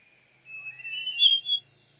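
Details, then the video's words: Female Large Niltava at Doi Inthanon, Chiang Mai, Thailand, giving one drawn-out whistled note that rises slightly and swells toward its end, lasting just over a second, in a quiet setting with a faint low hum. "นิลตวาใหญ่ (ตัวเมีย) Large Niltava ดอยอินทนนท์ จังหวัดเชียงใหม่"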